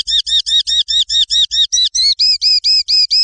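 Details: Swiftlet tutor recording for songbirds: fifteen steady chirps repeated about twice a second, the first ones rich and layered, the later ones thinner and purer in tone.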